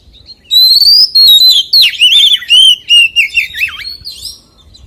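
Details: A white-rumped shama sings its forest-voice song: a long rising whistle, a sharp downward swoop, then about eight quick, rolling, whistled notes ending in a deep dip and a final rising note.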